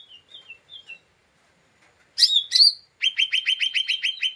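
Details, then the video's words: Lesser green leafbird in an agitated, emotional state, its chatter used to provoke other birds: soft high wavering notes, then harsh bursts and a fast run of rapid clipped chips, about seven a second. "Pancingan Cucak Ijo Mini Cimin Malasa bunyi / ngeriwik / Emosi tidak stabil"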